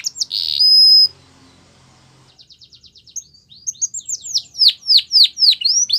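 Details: Canary song opening with a loud sustained whistled note, a pause, then a soft quick trill building into a series of loud, repeated, sharply falling whistled notes, clear and high.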